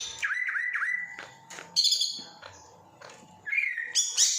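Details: Greater green leafbird from Kediri mimicking other birds: clear whistled notes, some sliding, give way to bright high chirps, then a rising whistle and sharp high notes, with short quiet gaps between phrases.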